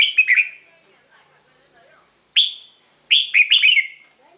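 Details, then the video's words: Red-whiskered bulbul song, used to lure or excite other birds: a quick warbled opening phrase, a lone clear whistled note after a gap, then a longer cheerful run of four or five rolling notes. "เสียงนกกรงหัวจุก สำหรับต่อ หรือ เปิดให้นกคึก เสียงเพราะๆ"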